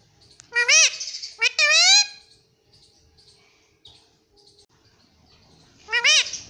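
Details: Pet ringneck parrot at home, said to be talking "mummy papa": two loud, rising, strained call-words close together near the start, then a quiet gap with faint murmurs, and one more loud rising call-word at the end.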